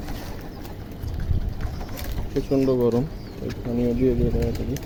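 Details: Domestic pigeons returning to a rooftop in the morning after being released to fly, about to be fed, give low, rolling coos in two bursts over a background hum.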